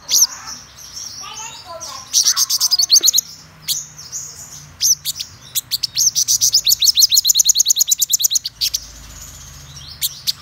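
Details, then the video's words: Black-throated sunbird, described as a top-class bird, singing thin whistles and scattered chips that build into a long, rapid trill of high repeated notes before trailing off. "Hút Mật Họng Đen Vip - Đỉnh Cao Của Dòng Chim Hút Mật"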